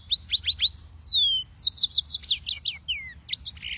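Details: Yellow-fronted canary (Serinus mozambicus) song opening with four quick repeated rising notes, then a long downslurred whistle and a rapid rattling series of high chips. Faint background hum.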